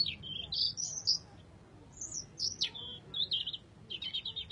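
Robin song: a stream of thin, high, varied warbling phrases with quick trills and slurred notes, broken by short pauses, over a faint low rumble.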